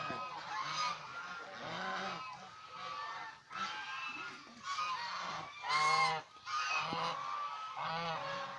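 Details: Domestic Chinese swan goose, a pet bird seen playing, bathing, resting and fighting; loud, brassy honks overlap in irregular clusters, with a strong rising blast near the sixth second and lower grunting notes between them.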